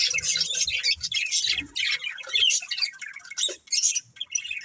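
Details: Budgerigar breeding pair squawking and chirping in harsh, busy chatter that thins toward the end into separate short squeaks.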